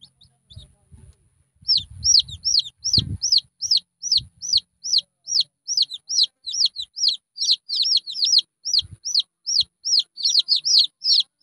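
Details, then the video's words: Red junglefowl chick: after a short thump and rustle, a long run of high down-curving peeps, quick and insistent, some notes doubled, continuing to the end. "suab me nyuam qaib qus quaj ສຽງໄກ່ປ່ານ້ອຍ เสียงไก่ป่าตัวเลัก"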